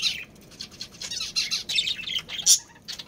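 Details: Budgerigar breeding pair in a colony; high scratchy chattering and chirps, ending with a louder sharp squawk.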